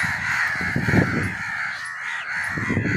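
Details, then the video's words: Crow calls used to attract crows: harsh, hoarse caws run together in a steady, grating stream, with a low rumbling underneath. "Crow sounds to attract crows"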